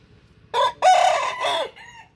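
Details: Rooster crowing in the morning: one short opening note, then a long, harsh, drawn-out cock-a-doodle-doo syllable that falls at the end, followed by a faint trailing note.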